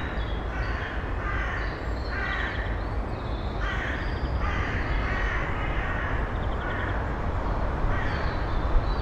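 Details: Eurasian eagle-owl female with nestlings in a nest box in early May: a run of harsh, raspy bursts, each under half a second, repeated roughly every second over a steady low rumble of background noise.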